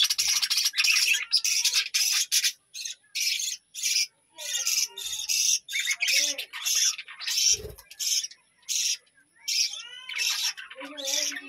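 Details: Captive budgerigars of a village-home colony chatter in repeated high, buzzy bursts about a second apart, mixed with short warbled twitters and brief gaps.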